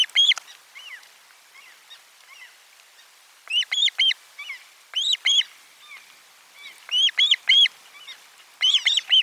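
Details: Nest camera 4, 12 July 2022, lunchtime fish delivery: Osprey gives clusters of high, piercing chirps, loud bursts separated by softer scattered notes.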